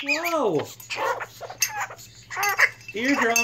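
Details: Blue-crowned conure kept as a pet, squawking loudly during a fit: harsh, harmonic calls that dip and swoop downward, given in uneven bursts separated by short gaps.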